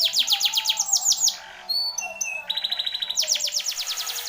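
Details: Canary in a competition-style song compilation: rapid series of high downward-sweeping notes, a pause with thin whistles, then a fast steady trill of repeated sweeps.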